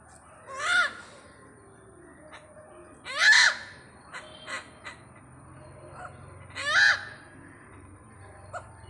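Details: Three loud, rasping, arched croaks from a great hornbill that has turned up in Pathanamthitta, spaced several seconds apart, with softer short notes between them.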